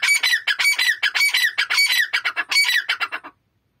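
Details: Male and female grey francolin calling together: loud, harsh, rapid repeated notes in a fast rhythmic series of about twenty bursts over three seconds, ending abruptly into silence.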